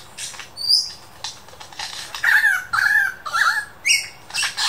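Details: Superb lyrebird imitating other sounds at the Dandenong Ranges Botanic Gardens, giving scattered high chips followed by wavering, warbled mid-pitched phrases and abrupt noisy bursts.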